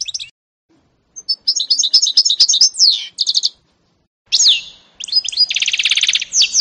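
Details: Song of a canary-goldfinch mule, 2018: a quick burst of twittering notes and a pure down-slurred whistle, a pause, then sweeping notes leading into a dense buzzy trill.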